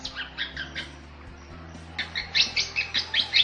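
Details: Masteran song of the Bali myna, a rare protected starling of Bali: three hoarse, squawky double notes, a pause, then a quick series of bright chirps repeated about twice a second.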